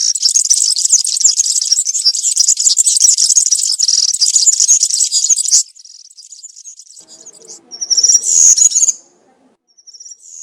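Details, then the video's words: European serin in the country or 'campero' style, sung in woodland and meant as a model for young birds to copy: a long, fast, high jingling buzz runs for about five seconds, then softer trills and a brief bright burst. "𝗥𝗘𝗖𝗟𝗔𝗠𝗢 𝗩𝗘𝗥𝗗𝗘𝗖𝗜𝗟𝗟𝗢 𝗖𝗛𝗔𝗠𝗔𝗥𝗜𝗡 𝗖𝗔𝗠𝗣𝗘𝗥𝗢. 𝗘𝗗𝗨𝗖𝗔𝗥 𝗬 𝗠𝗢𝗧𝗜𝗩𝗔𝗥 𝗩𝗘𝗥𝗗𝗘𝗖𝗜𝗟𝗟𝗢. 𝗖𝗔𝗡𝗧𝗢 𝗖𝗛𝗔𝗠𝗔𝗥𝗜𝗡 𝗘𝗡 𝗘𝗟 𝗕𝗢𝗦𝗤𝗨𝗘"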